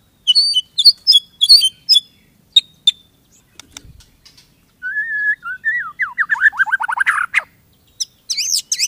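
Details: White-rumped shama song, likely a kept bird: short repeated whistled notes with harmonics, a rising series of slurred whistles, then high twisting phrases, with quiet pauses between bursts.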